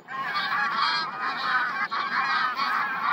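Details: Huge flock of geese recorded on 3 September 2022, a continuous dense chorus of overlapping nasal honks with no pauses.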